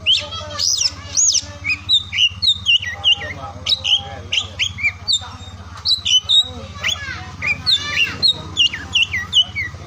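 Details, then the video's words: Oriental magpie-robin singing in the morning, midday and afternoon, meant to stir silent or lazy birds into song: a dense run of whistled, rising and falling notes mixed with harsher chattering phrases over a steady low hum. "KICAUAN KACER DI PAGI SIANG SORE HARI UNTUK MERANGSANG KACER BISU DAN MALAS BUNYI AGAR CEPAT GACOR"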